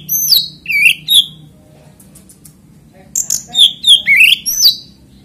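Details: Oriental magpie-robin singing to prompt other magpie-robins: a few loud whistled notes, a quiet gap with faint chips, then a bright burst of slurred whistles and rising sweeps over low hum.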